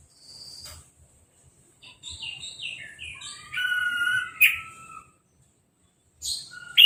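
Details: Orange-headed thrush after moulting and a hose-spray bath, caged and uncovered. A moderate run of varied whistled and buzzy notes stepping downward, with quieter passages and a sudden loud note at the end.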